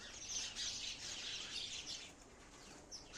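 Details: Sparrow chirping: a dense run of high, quick tweets overlapping throughout, busiest in the first two seconds, then thinning before a fresh burst at the end.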